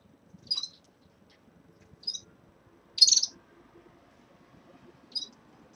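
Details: Caged red-fronted serins at the onset of moult give four separate high, bright chirps roughly one to two seconds apart, the third loudest, over quiet low background noise.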